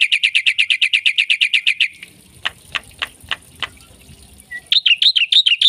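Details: Gacor myna song packed with isian phrases: a fast burst of harsh repeated chirps for two seconds, then sharp dry clicks spaced under a second apart, before the chirping resumes at the end.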